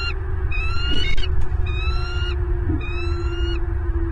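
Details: Wild bald eagles at a nest in Southwest Florida, nest camera, 8 December 2022 at 09:32: three harsh, high chittering calls in a row, each with a rising whistle-like tone, over steady low rumble and hum.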